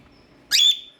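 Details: Baby cockatiel chick, one of several young birds, gives a single short high-pitched chirp, bright and slightly buzzy with a steady tone that fades out. The room is otherwise quiet.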